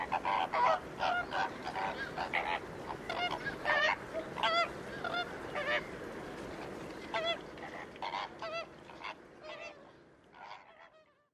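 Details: Flamingo flock honking at the Ludo saltpans in Portugal, nasal goose-like calls tumbling over each other in busy bursts, thinning and fading toward the end into a few last honks.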